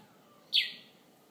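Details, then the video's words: A bird at a bedroom window in Conakry, heard in the morning: one short high chirp dropping in pitch, with soft ambient noise around it. "Bird chirping from my bedroom window"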